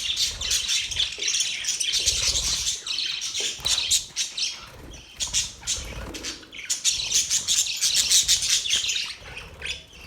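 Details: Budgerigars chirping in rapid, scratchy bursts of high twittering with clicky, broadband rustles between them, the chatter pausing briefly around five and six seconds before resuming strongly.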